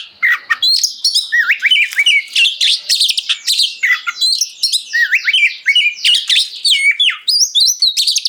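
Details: Nonstop 'gacor' singing from an oriental magpie-robin, used to prompt other kacer to reply and to train home birds: bright whistled phrases, upslurred and downslurred notes and buzzy chatters tumbling quickly one after another for over eight seconds.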